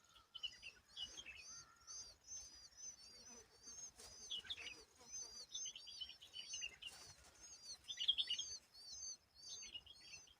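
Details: Asian babblers, apparently adults with young, give a dense, continuous chatter of high, squeaky chirps and downward-curving whistles, overlapping several times a second, with faint background hiss.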